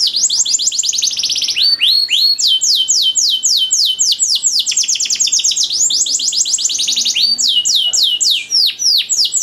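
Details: Canary tutor song used to train other canaries, long and richly ornamented: fast rolling trills of sharp high downslurred notes, switching between different tour speeds without pause, with a thin whistled overtone line above.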